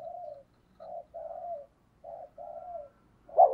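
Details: Spotted dove kept as a decoy, calling to lure wild doves. Soft, low, rolling coos in two groups with short pauses, ending in a sudden loud burst.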